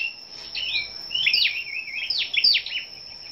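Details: ['Scarlet-backed flowerpeckers gathered together, singing competitively on the morning of 10 May: quick, thin, high chirps and short downslurred twitters, bursts clustering near the middle and end, over a constant high electric-like whine.']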